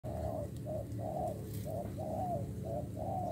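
A spotted dove coos in a steady series of soft, low, hollow notes, about one per second, over a rumbling low background.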